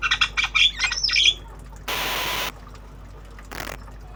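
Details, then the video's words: Black-winged starling learning sounds in obyogan style: rapid, scratchy, high chattering notes tumbling together for over a second, followed by a long burst of hissing noise and a shorter noisy thump. "Jalak kebo Obyogan Belajar Bunyi"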